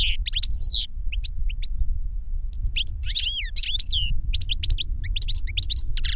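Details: European goldfinch song from caged birds, a master and a novice that learned the master's song from a CD; fast, varied twitters with looping whistled notes and sweeping slurs, a brief gap early on, low background rumble throughout.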